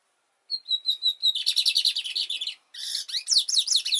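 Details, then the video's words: Lined Seedeater singing a sequence of short whistles that breaks into a dense, rapid trill, then after a brief pause a faster jumble of sweeping, buzzy notes that rise and fall. "OS 7 CANTOS MAIS BONITOS E MELHORES DO BIGODINHO!"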